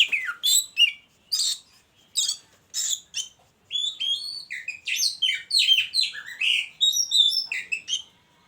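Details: Oriental magpie-robin kept caged and placed with a mate for breeding; four harsh, evenly spaced chattering notes lead into a fast, jumbled medley of bright whistles and trills.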